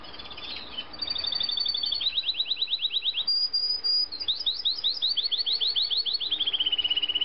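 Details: Yorkshire canary song, a champion-line bird: long rapid trills of repeated high chirps, some steady and some swooping downward, a brief pure whistle, then a fast rolling series gradually slowing, over steady hiss.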